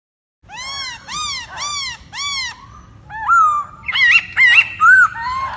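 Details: Masked laughingthrush (Hong Kong poksay) in full song, possibly while dancing to attract females: four loud, arched, slightly nasal notes about every half second, then a run of varied rising and falling whistles.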